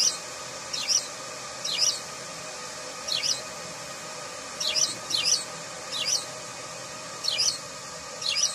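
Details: House sparrow giving sharp, high chirps that drop steeply in pitch, mostly single but sometimes in quick pairs, spaced unevenly about a second apart over a steady background hiss and low hum.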